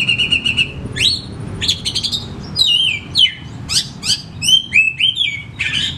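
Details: Caged oriental magpie-robin singing a lure song for sluggish kacer: a short buzzy trill, then rising sweeps and a rapid string of clear, sliding whistled notes and sharp chips, with steady low hum underneath.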